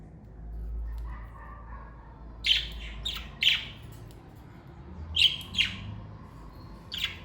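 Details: Pet parakeets from a family kept together give short, bright chirps in two clusters, each a quick run of two or three sharp notes, separated by a quiet stretch with a soft low hum.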